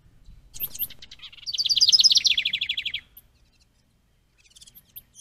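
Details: At a bluebird nest box with a stick nest, 10 May 2023, trail camera: a house wren gives a few thin high notes, then a fast rattling cascade of repeated trills sliding lower over roughly a second and a half, then quiet.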